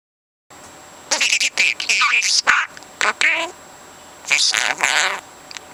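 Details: Pet parrot aged four months chattering in imitation of human conversation; after a silent start, quick clusters of speech-like syllables and squeaks, then a second burst near the end.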